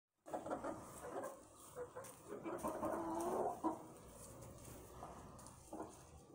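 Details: Chickens at their roost area, a jumble of soft clucks and murmuring calls from several birds, with one louder drawn-out note midway, over steady background noise.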